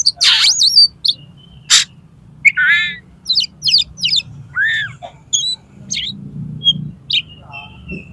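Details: Oriental magpie-robin with tail fanned, challenging a rival to fight and spilling out borrowed song phrases: a varied medley of harsh bursts, wavering rising whistles and quick clipped chirps, with a faint low hum beneath.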